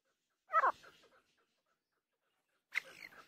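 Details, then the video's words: Female grey francolin (teetar) gives two short, harsh, scratchy calls about two seconds apart, each a quick burst that trails off, with no other sounds. "teetar sound | teetar voice | grey francolin teeter sound | Female teeter awaz"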